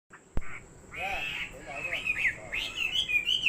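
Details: Chinese hwamei, a fighting bird, sings bright whistled phrases that slur up and down, mixed with a few harsher buzzy notes. A sharp click sounds near the start, over a faint background hiss.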